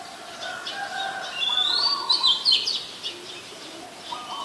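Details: Oriental magpie-robin, a very common resident, singing at Ubon Ratchathani, Thailand, on 14 October 2021, captured with a Nikon P1000: a short run of clear, swooping whistles with quick slurred notes, over faint lower chirping.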